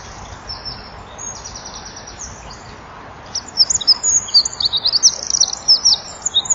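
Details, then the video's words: Eurasian wren at dusk, 17:33 on 23 January 2014, singing at a nest-box wall camera with fluttering wings: a loud, very high, rapid stream of trills and chatter; a second wren briefly perched behind; fainter song first, steady hiss. "WK zingt voor zit er ook een achter"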